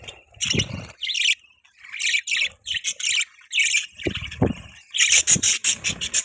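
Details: Budgies chirp and squawk in harsh, buzzy bursts, ending in a quick pulsed run of notes, with low knocking sounds from movement.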